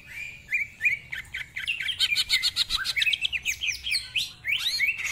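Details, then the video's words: Cucak ijo, the greater green leafbird, in full vocal display used for song training: fast run of whistled upslurs and dense buzzy chattering notes, about four per second, continuous and loud. "Cucak Ijo Gacor Ngentrok Full Isian, Nembak Rapet Suara Kasar Isian Mewah"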